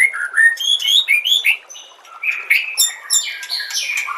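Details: White-rumped shama song for training other shamas, with nature sounds and trickling water; high twittering phrases of quick whistled slurs and chirps, dipping briefly before another busy, varied run.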